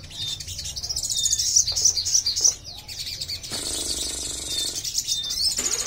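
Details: Crimson sunbird kept alone for a test of its nerve to sing, uttering rough, high-pitched twitters: rapid thin chirps in short bursts with brief pauses, plus a low background hum.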